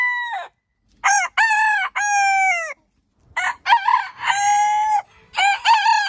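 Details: Rooster crowing in short, bright bursts separated by brief silences. Each crow rises, holds, then dips at the end, and a few of them sound choppy and broken.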